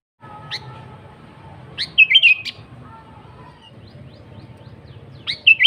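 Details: Lively sooty-headed bulbul song. A full phrase of a sharp upward note and a rapid bubbly run is followed about three seconds later by the start of another, with a faint lead-in note and low hum.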